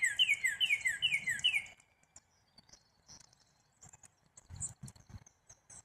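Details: A Black-capped chickadee delivers roughly ten rapid, downslurred notes with ringing high overtones in under two seconds, then falls silent while faint ticks and soft rustling sounds follow.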